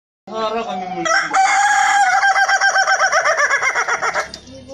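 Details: Ayam ketawa rooster with a melodious voice: a crow rising into a long run of fast, even, laugh-like pulses about four per second, ending abruptly after four seconds.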